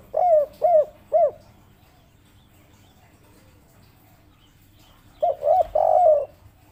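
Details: Spotted dove, local "kuk 3" bird: three short hooked coos, a long quiet pause, then two quick notes leading into a long hoarse coo.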